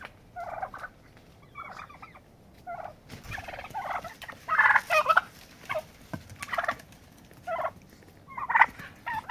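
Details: Turkeys fighting over rank in the pecking order; scattered yelps then louder rattling gobbles, with scuffling noise in between.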